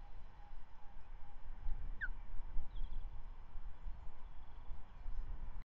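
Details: At Manton Bay on 13/05/2023 an osprey feeds the first chick of the season after the male's morning trout; one short downward whistled note early on, then only steady low rumble.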